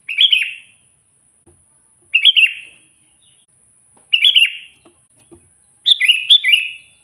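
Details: Sooty-headed bulbul song used to call wild bulbuls: short, gurgling phrases spaced about two seconds apart, the final one longer with several bright notes, against a quiet background.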